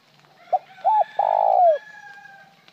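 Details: A spotted dove's plain coo phrase, made of a brief note, a two-part coo and a long vibrating coo curving downward. Thin steady tones from another sound linger in the background.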